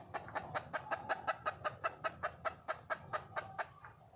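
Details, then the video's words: Red junglefowl hen in the wild, calling to attract a male: evenly paced, short nasal clucks, close to three each second, fading slightly at the end over a soft low background rumble. "le bruit d'une poule sauvage,เสียงไก่ป่าร้องหาถู่หาตัวผู้,ສຽງໄກ່ປ່າຮ້ອງຫາຄູ່ຮັກ, poj qaib qus see"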